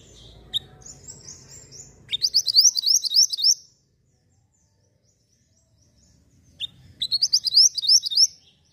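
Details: Javan white-eye in full, steady song, offered as a tutor recording for training songbirds: two bursts of high, rapid chattering trills, each about one and a half seconds long, separated by nearly three seconds of silence, with a faint low murmur at the start.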